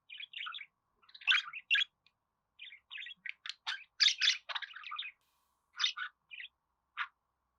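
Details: Budgerigar twittering on and off: lively, scratchy warbles, clicks and chirps in irregular bursts, some loud and harsh, ending with scattered single chirps.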